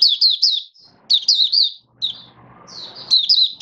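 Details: High, quick, falling chirps from a caged oriental white-eye on 21 October 2022, tested with a song-display booster, come in short groups with pauses; soft low background noise fills the middle gap.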